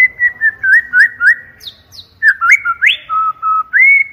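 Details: Loud, clear trigger song of a white-rumped shama: a string of short whistled notes, a brief gap, then varied whistles with a high upswept note and steady level tones.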